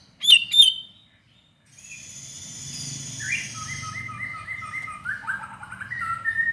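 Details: White-rumped shama in full song, a lure recording meant to provoke other shamas to sing: two loud sharp chipping notes, a pause, then a run of softer steady whistled notes at varied pitches over a low rumbling background.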